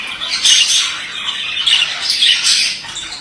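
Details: Male budgerigar chattering nonstop, a dense run of harsh squawks and twittering notes rising and falling in loudness several times in a few seconds.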